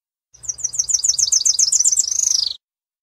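A tropical parula sings a high, thin buzzy trill of about a dozen quick rising notes, ending in a rising buzz, with no other sounds.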